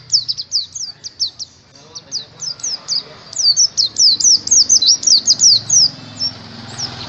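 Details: Oriental white-eye song played to coax caged birds into frequent singing; a long series of high, sharp, down-slurred chirps, about two per second, that quickens and grows louder toward the end.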